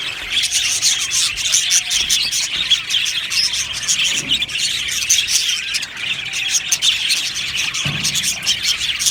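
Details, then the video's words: Budgerigar colony in an aviary, many birds chirping at once in a dense, unbroken chatter of high twittering and warbled notes, with brief scratchy squawks standing out near the fourth and eighth seconds. "Beautiful Budgie aviary chirping sounds"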